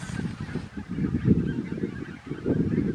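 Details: Red-breasted geese in Romania, December 2022: a dense flock chorus of overlapping honking and yelping calls, continuous and rough, rising and falling in loudness, with no pause across the stretch.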